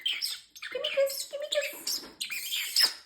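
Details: Male pet parrotlet talking indoors, running through learned phrases like peekaboo and excuse me, plus a fake cough; a continuous stream of squeaky, speech-like syllables with a few clear tonal notes.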